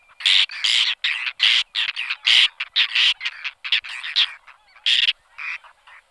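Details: Whiskered tern colony noise: loud, rasping, creaky calls come in rapid overlapping bursts, nearly continuous for most of the stretch, then thinning out near the end.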